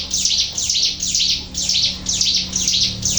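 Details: Sunda warbler singing persistently, used as a lure recording with nature sounds: a rapid series of high, shrill, sweeping notes repeated about twice a second, with a faint low hum beneath.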